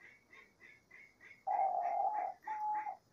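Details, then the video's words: Small birds chirp rapidly at first, then a Diamond dove sings two steady, mellow coos in nature, the first longer than the second. "ROLINHA DIAMANTE CANTANDO MUITO - CANTO DA ROLINHA DIAMANTE NA NATUREZA"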